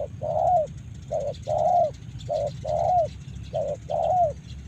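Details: Close spotted dove from Karawang: three phrases of a short coo then a longer, slightly falling coo, evenly spaced, with steady low background rumble.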